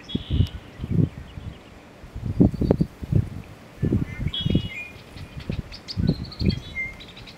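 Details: Male American bittern giving its display call, described as "Onk, Onk, Onk, Onk-a-chunk": deep, low gulping pumps in paired bursts about every second and a half, with faint songbird chirps higher up.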